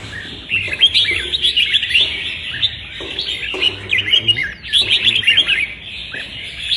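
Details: Red-whiskered bulbul in a singing contest on 15/12: bursts of lively chirped, warbling phrases about a second long, separated by brief pauses, with faint background murmur.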